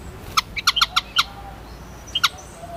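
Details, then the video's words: White-headed munia (Lonchura maja): a quick burst of short, sharp high chirps, about seven packed into under a second, then a pause and two more clipped notes near the end, over faint background hiss. "WHITE HEADED MUNIA SOUND EFFECT"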